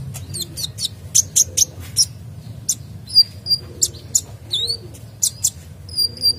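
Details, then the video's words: Sunbird in full song, used to stimulate other birds to sing; very high, sharp tsip notes alternate with thin slurred whistles, spaced irregularly across the phrase, quiet low hum behind. "Kolibri Dacok Gacor Full isian Cocok Untuk Pancing Bunyi"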